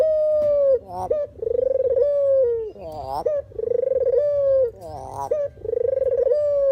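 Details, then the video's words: Dove known locally as puter or deruk, used as a trapping lure, alternating sustained mellow coos with short rough rising notes, roughly five coos in close succession. "suara asli burung puter/deruk buat isian,pikat dan pancingan"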